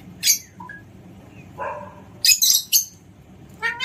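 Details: Alexandrine parakeet kept at home, letting out loud, rasping high screeches in short bursts, a quick double screech midway, then a rising harmonic call at the close.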